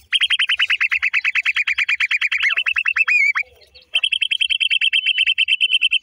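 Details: Black francolin chicks from the new season: rapid series of short downward-slurred peeping notes, about three per second, steady and high, with a brief gap midway before the peeping resumes.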